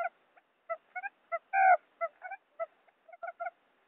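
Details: A quail, in a wild-quail lure call recording, gives short, nasal, honking notes in quick irregular bursts, about a dozen in four seconds, with one longer drawn-out note in the middle.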